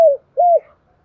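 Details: Spotted dove lure call for attracting wild doves; a brief fragment with a falling coo followed by a smooth level-then-dropping coo note, clean background.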